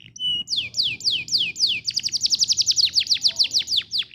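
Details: Canary song used as a tutor recording to make other canaries sing: two steady whistled notes, then loud descending sweeps about four per second, which quicken into a rapid rolling trill.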